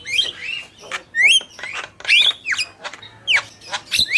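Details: Male and female black-winged myna singing: rapid sequence of harsh squawky notes mixed with clear whistled up-slurs and down-slurs, loud and busy phrases with short gaps between them.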